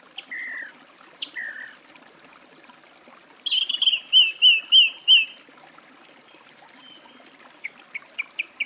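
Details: Song thrush song: two low, drawn-out whistles, then a rapid string of sharp, repeated notes over a steady tone, followed by a pause and a quick series of short chips.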